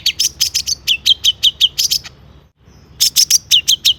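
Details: Long-tailed shrike in excited song, played to make other shrikes respond: rapid clipped notes about three per second, bright and slightly buzzy, broken by a short pause before a second burst.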